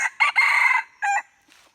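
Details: Red junglefowl crow recorded on 16 February 2024, used to lure wild junglefowl: loud, harsh, harmonic crow in four pulses, two short, one long and strained, and a final clipped note, then a faint tail.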